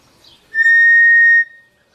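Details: Cinereous tinamou call used to attract the bird: one pure, steady whistle held for about a second at an even pitch, with no change in tone, over a quiet background.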